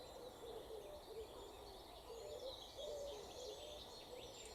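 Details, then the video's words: Common cuckoo in the distance at a marsh reserve in early May, giving soft, low, falling two-note 'cu-coo' calls, faint under a steady hiss, with whitethroat, chiffchaff and other birds' thin high songs. "Hope you can hear the cuckoo this time."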